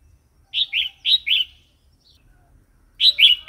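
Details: Red-whiskered bulbul wild-style song (phleng pa) for coaxing new birds and teaching chicks: pairs of sweet, slurred notes delivered in short bouncy phrases, a brief pause, then a fresh phrase.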